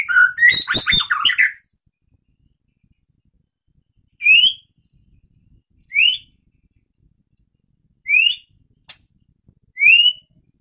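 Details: White-rumped shama of the Medan type, kept in a breeding aviary: an opening burst of varied rich whistles and chatter, then short rising whistled notes repeated about every two seconds.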